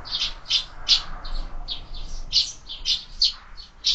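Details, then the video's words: Several sparrows feeding at a feeder fixed to a window, fed all year round, chirp in loud, slightly harsh, rough notes spaced roughly every half second over a low background rumble. "Воробьи в кормушке"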